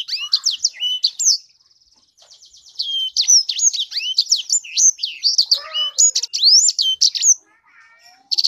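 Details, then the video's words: Sanger canary kept as a pet delivering a long, fast song of high swooping whistles and rapid ticking trills, with a short buzzy phrase in the middle and a brief pause near the end. "Burung sanger beneran sangar suara nya"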